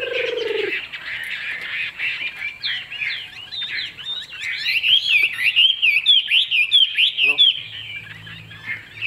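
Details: A caged Chinese hwamei with a fig-leaf-shaped tail, offered as a good singer, starts after a brief low tone, then builds into a loud run of fast, bouncing, slurred whistles that swoop up and down.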